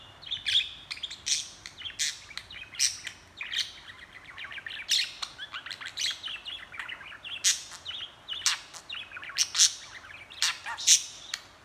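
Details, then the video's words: Steady, dense budgerigar chattering: an unbroken stream of bright chirps, twitters and warbled notes running almost nonstop for over ten seconds, with no other sounds. "Budgie talking & chattering"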